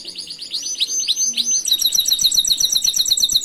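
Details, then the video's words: Master song of a canary, used for training other canaries: a lively run of high, sweeping whistled notes rolls into fast, dense repeated trills, bright and continuous throughout. "Masteran burung Kenari"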